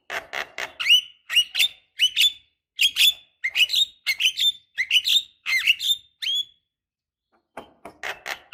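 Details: Female Javan myna calling to a male, used as a lure recording; rough chattering notes mixed with rising and falling whistled phrases in quick runs, with a brief pause before harsh calls resume.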